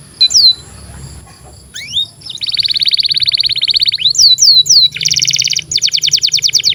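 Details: Canary song played as a model for young canaries: scattered high whistles, then a long dense buzzing trill, a few looping slurs, and further rapid rattling trills over a faint low hum.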